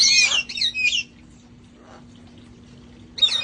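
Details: Parrots of a sanctuary flock playing outside before cold weather, giving two loud shrill squawks close together, then near silence with a faint call, before another screech starts.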